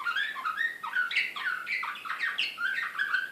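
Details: Excited Serbian Slavujar canary, Belgrade 2016, delivering quick downward-sweeping chirps that run into one another in a bright, busy, unbroken song phrase.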